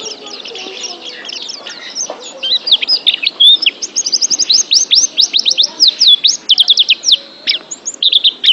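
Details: Oriental white-eye song played as a training recording for pet birds. Fast, high chirps and sharp up-and-down whistled notes in dense bursts, with quick trilled runs and short pauses between phrases.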